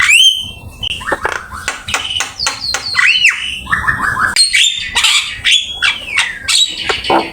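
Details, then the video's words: Javan myna in full song, with a dense 'full isian' fill of varied phrases, used as a training master and recorded with Open Camera. Rapid whistles, rising and falling slurs and harsh chatters follow almost without pause. "Suara jalak kebo gacor !! Full isian ,masteran asik"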